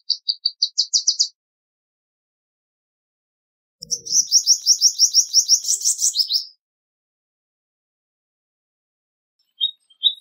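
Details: Palestine sunbird singing: a quick run of high chirps climbing in pitch, then after a pause a fast, rattling high trill lasting over two seconds, ending in a few brief squeaky notes.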